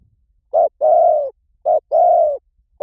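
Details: Spotted dove lure call: two mellow pairs of cooing, each a short note and then a longer, softly falling coo, with faint low rumble underneath.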